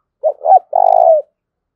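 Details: Single coo phrase of a spotted dove in thổ đồng voice: a short note, a swelling second note, then a long vibrating coo that falls gently at its close.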